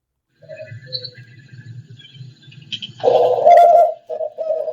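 A dove coos: soft, low throaty murmurs, then two louder, drawn-out hollow coos near the end, with faint higher bird notes in the background.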